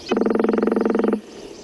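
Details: Northern Flicker drum, a Missouri woodpecker's replacement for song, used for attracting mates and holding territory. A fast, even mechanical rattle of about two dozen hollow taps runs just over a second, then stops abruptly.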